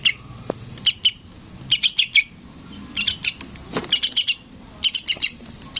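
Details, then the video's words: Juvenile yellow-vented bulbul calling to its parent with uneven groups of bright, high chirps, some single and some in threes or fours, over a noisy background with a brief low thump. "SUARA BURUNG TRUCUKAN ANAKAN MEMANGGIL INDUKNYA"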